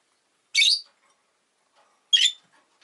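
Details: A rosy-faced lovebird gives two loud, grating shrieks about one and a half seconds apart, each harsh and noisy. Very faint low murmurs are heard between them.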